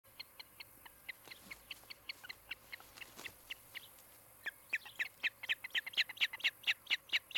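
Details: Osprey at a nest in Charlo, Montana, on a nest camera on 16 July 2018 in the afternoon. A pair is nesting. A long run of short, high, whistled chirps, several per second, that grows louder and more insistent toward the end.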